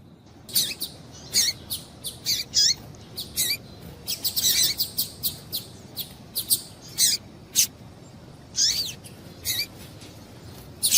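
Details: Female double-collared seedeater giving calls to arouse males; a steady string of short, high, bright chirps, roughly two per second, with a denser flurry in the middle and faint hiss behind.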